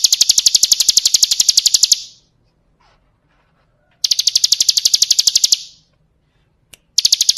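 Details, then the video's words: Bar-winged prinia (ciblek kristal) song used as training material for other birds: rapid, even trains of sharp, high ticking notes, about ten per second, lasting around two seconds each, separated by silent gaps, with one isolated click. "Masteran Suara Burung Ciblek Kristal"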